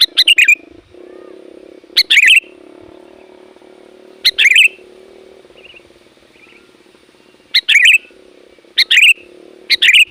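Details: Sooty-headed bulbul used to call wild bulbuls, repeating brief chattering bursts of bright notes at irregular intervals, with a continuous low engine-like hum behind.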